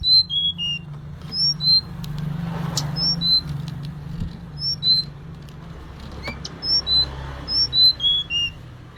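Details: Female Sunda robin calls to the male in two bursts of thin, high, falling whistles. Faint tapping sounds and a low hum lie between them.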